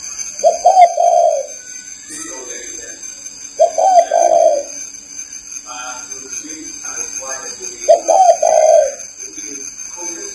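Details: Spotted dove, Ba Vì, Hanoi, Vietnam, cooing three times in rhythmic two-part phrases about every three and a half seconds, with people talking in the gaps and a low background hum.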